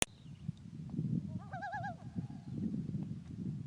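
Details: Loon on a lake at Clearwater, Minnesota, heard from a kayak during a weekend camping trip: a brief wavering, quavering tremolo call that trails into a steady, level tone, over low rumbling background noise.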